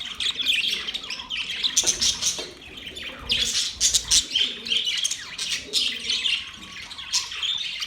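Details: Cheerful budgerigar chatter, several birds trilling and chirping at once in bright, rapid bursts that rise and fall in loudness every second or so.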